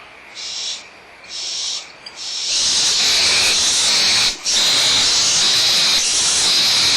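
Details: Young barn owls at Audubon Starr Ranch Sanctuary squabble over leftover food, mother nearby, 17 April 2011 morning: two short breathy hisses, then a loud continuous rasping screech with one brief break.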